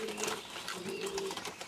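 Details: Domestic pigeons kept at a garden home in France coo in low, soft, droning phrases that swell and fade in quick succession, with faint background noise and possibly a voice.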